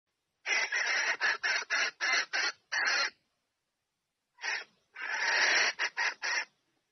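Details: Female red junglefowl calling the male to come and mate: a run of harsh, noisy cackling notes about four per second, a pause of over a second, then a longer raspy note followed by shorter bursts.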